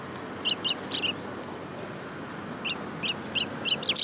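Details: Sparrows coming to be fed at a Tenmangu shrine on 3 October 2022 give short sharp chirps, several in quick pairs early on, then a denser burst of chirping near the end over broad background noise.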